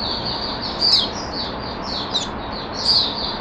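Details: Oriental white-eye, a caged bird recorded 5 May 2022 as it starts singing, pours out a continuous high, sibilant warble of run-together notes, with three brighter, sharper peaks standing out.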